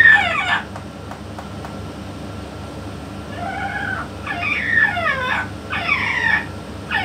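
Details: Yellow-naped amazon, praised as a top 'king' parrot, talking with a parrot expert; one early phrase, a quiet gap with faint clicks, then three descending, harmonic, speech-like phrases close together.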